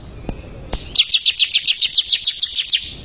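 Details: Actively singing ciblek (bar-winged prinia) used as a tutor for caged songbirds: after a few clicks, a steady series of about twelve high, descending chirps at an even, fast pace.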